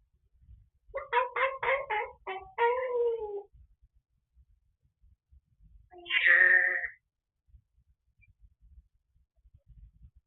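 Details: Pet African grey parrot talking to the TV indoors while alone at home: a quick run of five clipped nasal notes ending in a drawn-out tone, a pause, then a single rising meow-like call; the room is otherwise quiet.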